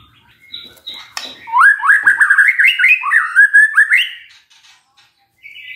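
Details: Magpie-robin lure song to make a quiet bird answer: after soft scratchy notes, a rapid run of rising whistled slurs, about two and a half per second, ending in a higher sustained whistle.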